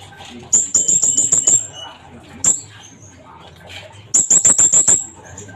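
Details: Sunbird singing to spur other trainee birds into lively song: two bursts of rapid, very high, sharp chipping notes, each about six to seven in quick succession, separated by a quieter gap with faint background noise.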